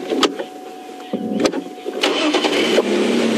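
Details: A car engine runs and revs with mechanical clunks and rattles during a morning safari drive, with no animal sounds.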